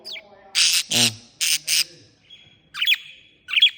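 Parakeet gives four harsh, noisy squawks in quick pairs, then sharp chirps and a thin steady whistle.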